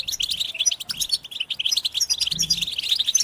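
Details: Group twittering of European goldfinches as mating and readiness calls meant to excite males to sing; rapid, tinkling chirps and short buzzy notes tumble over one another throughout.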